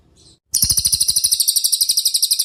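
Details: Cililin song used as training material for other cage songbirds: a faint high chirp, a brief silence, then a fast, steady trill of clear, shrill, high notes running about two seconds without a break.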